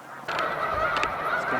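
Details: A sudden swell of Snow Goose honking from large spring migration flocks on Cayuga Lake, New York, 20 March 2021. Quiet at first, it quickly becomes a thick, steady chorus with a few crisp notes.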